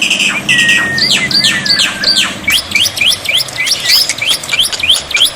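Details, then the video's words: Black-winged myna song as a tutor to trigger replies from silent mynas, with water therapy: a level whistle followed by a quick series of sharp downward-sweeping chirps about three per second, overlapping chatter behind. "masteran burung jalak putih, jalak putih macet pasti nyaut"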